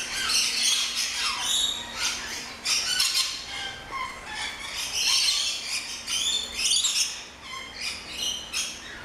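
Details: Noisy flock of rainbow lorikeets, many look-alike small parrots in an aviary at an orchid farm in Luttelgeest, Netherlands: constant harsh high screeching and chattering, overlapping squawks rising and falling in waves.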